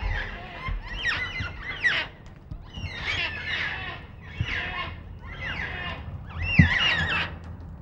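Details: Black cockatoos at Nerrina, Victoria, recorded in 1999: a string of five harsh, drawn-out wailing screeches, each about a second long with short gaps between, over a low background rumble.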